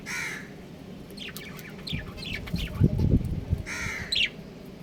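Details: A breeding pair of home-kept budgerigars calls with harsh, slightly buzzy warbled notes at the start and end, with faint rapid chirps between, over a steady low background rumble.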